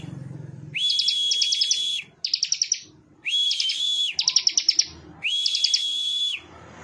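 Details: Bar-winged prinia (ciblek) song of sustained high whistled notes overlaid with rapid bright chips, alternating with separate bursts of sharp ticking notes; three whistle phrases in under seven seconds.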